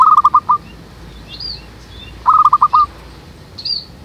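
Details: Zebra dove calling as a lure for trapping doves from a backyard jackfruit tree: two bursts of six rapid staccato coos about two seconds apart, with thin high chirps from other birds in between.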